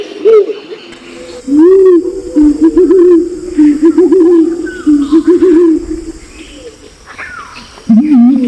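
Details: Male and female lure calls of Pinon's imperial pigeon from Nabire, Papua: a long run of low, wobbling, moaning notes with short gaps, a final louder wavering hum, and scattered higher whistled calls of other birds.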